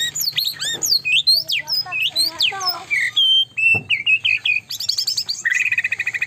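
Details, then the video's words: White-rumped shama in full, active song, meant to provoke rivals: a dense flow of high arching and sweeping whistles, descending slurs and trills, with one sharp click midway and fast bright chatter at the end. "udah gila" murai batu ini bikin lawan EMOSI"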